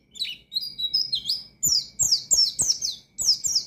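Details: Oriental white-eye singing in a lively wild 'ngalas' style meant to challenge rivals and rouse untrained birds: high, rapid slurred chirps, some rising and falling, then a run of sharp downward notes about three per second. Background is quiet.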